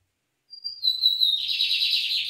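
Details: Brazilian lined seedeater song opening with a sharp, high, steady whistle that steps down in pitch, followed by a dense, rapid, buzzy trill that continues to the end, with no other sounds.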